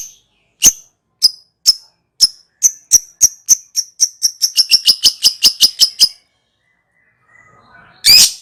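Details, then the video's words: Lovebird ngekek, a lure call for other birds: high, sharp chirps that start slow and speed up into a rapid chattering trill lasting several seconds, then stop, followed by one loud squawk. "Pancingan Love bird ngekek"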